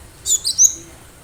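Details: Wild-caught Cinereous tit (gelatik batu), recorded as a lure for other birds, giving three quick, very high, thin chirps within half a second against faint background noise.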